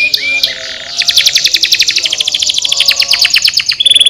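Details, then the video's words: Canary song used to spur lazy canaries to sing: brief whistled phrases, then a long, even, rapid trill of short rising notes lasting nearly three seconds, ending on a clear high note. "estimulando o som de canários preguiçosos cantando"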